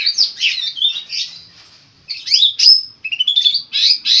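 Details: Long-tailed shrike pouring out a song of borrowed phrases for tutoring: rising and falling whistled slurs run together, a brief gap, then sharp chips, a pure piercing whistle and buzzy notes.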